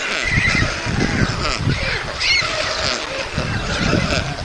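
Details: White stork nest in Mladé Buky, Czech Republic, 20 June 2022, during feeding of two chicks; faint wavering calls sit above heavy low rumbling and wind-like noise throughout.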